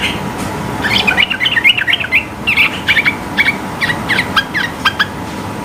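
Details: Sooty-headed bulbul in rapid 'gacor ropel' singing, high-pitched and meant to challenge rivals: a busy stream of quick, slurred whistles and chips, steady for several seconds and thinning into spaced single notes.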